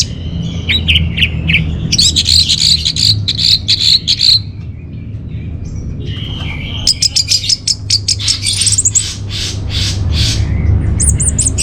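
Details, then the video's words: Orange-headed thrush song, used as a lure and master song for caged birds: rapid, varied high chirps and trills in bursts, with a pause near the middle, over a steady low hum. "Bikin Geger ANIS MERAH Dirumah Pasti Gacor || Pancingan sekaligus Masteran Burung Punglor"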